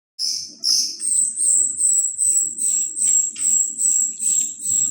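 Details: Golden-bellied gerygone song: two lower whistled notes, then a long run of very high, thin, steady whistled notes repeated about twice per second, with faint low rumbling beneath.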